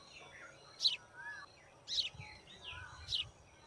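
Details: White-throated fantail during nest building, giving short, sharp, high chip notes about once a second. Softer slurred whistles run between them, with faint low background rumble.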